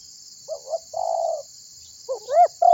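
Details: Tekukur (spotted dove) calling to draw other birds into singing: a brief double note, a long level coo, then a rising two-part coo starting again, with constant high shrill background hiss.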